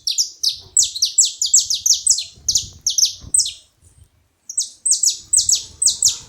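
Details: Saffron finches noisy at a feeding spot, pouring out rapid series of piercing, high, downslurred chip notes, briefly pausing before another run, over a faint low rumble.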